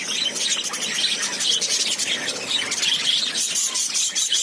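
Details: Lovebirds at feeding time, a flock giving dense overlapping shrill squeaks and chirps with no pause, constant chatter and a few sharper high squeals.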